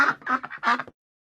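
A duck gives a quick run of three or four harsh, nasal quacks in under a second, then falls silent.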